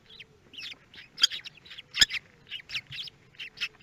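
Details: Common kestrel chicks in a nest box at Théding, France, on 24 May 2022, as the third and fourth chicks hatch; high, scratchy squeaks and chirps repeated about once a second, with a few sharp clicks.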